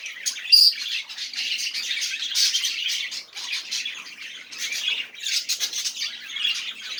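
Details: Budgerigar warbling meant to encourage quiet budgies to sing, made of rapid raspy chirps and squeaky notes in bursts, with a sharp high squeak near the start and a brief lull around the middle.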